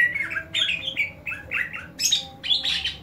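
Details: Greater green leafbird uttering a fighting call that trains other leafbirds' fighting spirit: harsh, loud chattering phrases of bright, slurred high notes in about five rapid bursts, each falling slightly, with a faint low hum beneath.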